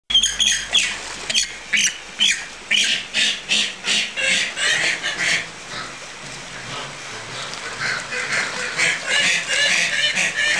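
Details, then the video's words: Tasmanian native hens screaming under a bridge at a wildlife park entrance in Gunns Plains, Tasmania, Australia, 12 October 2012, an hour after sunset: loud harsh rasping screams repeated about twice a second, sometimes overlapping. "Tasmanian Native Hens Screaming"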